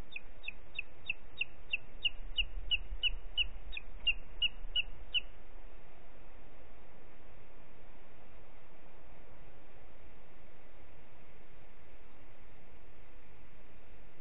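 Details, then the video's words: Booted eagle in Parc Natural dels Ports, 4 July 2021 at 13:39, gives a quick, shrill series of about fourteen high whistled notes over five seconds, then falls silent over a low wind rumble. "Àguila Calçada"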